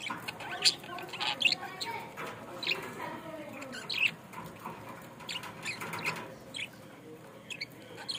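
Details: Budgerigar kept in Bangladesh giving short, bright, high chirps and sharp squeaks scattered irregularly through the recording, some in quick pairs, over a soft hum.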